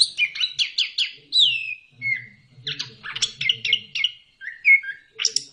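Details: Orange-headed thrush (anis kembang) in ngeplong song, a lure for kept birds that will not sing: a fast series of repeated sharp notes, a long falling whistle, then varied chattering phrases and slurred whistles, with faint low background murmur.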